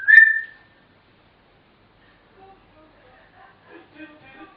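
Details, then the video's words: A chatty African grey parrot gives one loud, clear whistle, then quiet, mumbled speech-like chatter in short bursts. "Chatterboxes!! African Grey Parrots"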